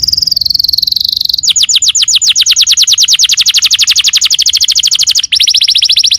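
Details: Canary singing as a lure to get another canary to respond: a steady high buzzing trill, then an extended very rapid pulsed trill of bright repeated notes, switching after a short break to another fast trill.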